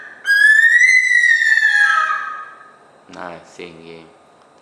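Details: Bush stone-curlew cry from the Gold Coast, Australia: one long whistled wail rising then slowly falling, followed by a man's voice speaking briefly.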